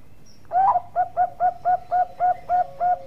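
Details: A Bangkok-type zebra dove sings a steady run of about nine mellow, hollow coo notes evenly spaced roughly every third of a second, used as a master recording for training other birds.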